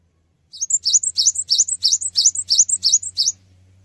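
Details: A cinereous tit's lure song, aimed at getting other birds to respond: about twelve rapid, regular two-part phrases, a rising whistle and a thin high note each, over a steady low hum.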